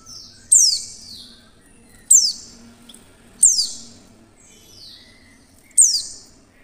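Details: Oriental white-eye; female call; luring other white-eyes into singing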